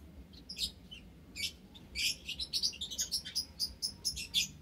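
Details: Aviary chorus of ten white Java sparrows kept with white-headed, scaly-breasted and tricolored munias, March 21, 2021; high, dry chirps come quickly and overlap, building into a dense run of sharp tweets in the second half.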